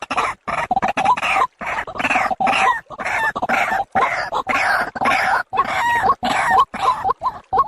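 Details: White-breasted waterhen lure call for daytime and night use, heard as a harsh chain of grating, croaking syllables with squeaky overtones, pulsing in quick, fairly regular bursts split by short silent breaks.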